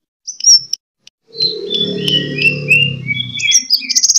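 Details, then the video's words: Sunbird fighting song, used as a lure to train kept birds: high thin chirps, then a run of sliding whistled notes ending in a fast twitter, over a steady low droning hum. "Suara: -*BuRunG*- [Pancingan] ( KOLIBRI TARUNG )"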